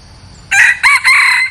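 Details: Clear, harsh three-part crow of a decoy red junglefowl used to attract wild birds: a short rasping opener, a brief second burst, then a longer held note that ends abruptly.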